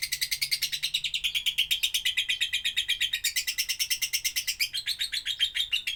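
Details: Doubbelan-style lovebird song meant for tutoring other birds: a fast, rattling chatter of about nine bright pulses a second, pitch stepping up and down between phrases, steady throughout.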